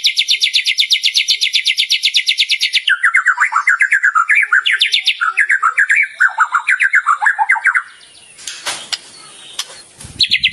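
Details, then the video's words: Champion contest white-rumped shama, kept for song training, giving a loud varied song: a fast rattling series of high notes, then rich warbled phrases swooping up and down, ending with sharp clicks. "Murai Gantangan Juara 15 menit non stop // Masteran untuk Pagi Siang Sore"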